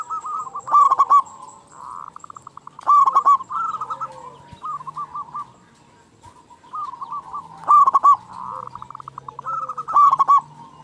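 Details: A local zebra dove with a big voice and an eager calling habit repeats phrases of rapid, hollow ringing notes about every two to three seconds, amid a background of many softer cooing doves.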